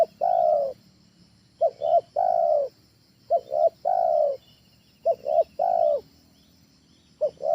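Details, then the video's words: Trained spotted dove (tekukur ajaran) suited as a home lure: a long coo, then three phrases of two clipped notes and a sustained coo, spaced about 1.7 seconds, ending on a fresh opening note. Soft constant hiss. "SUARA TEKUKUR AJARAN, SANGAT COCOK UNTUK PANCINGAN DI RUMAH"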